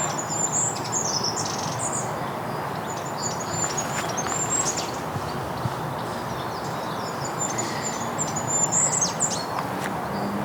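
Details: A Goldcrest sings in a tree above a woodland path in Basingstoke, Hampshire, UK, on a spring Sunday morning, possibly displaying: short bursts of very high, thin, rapid notes over a steady low rumble of wind or traffic.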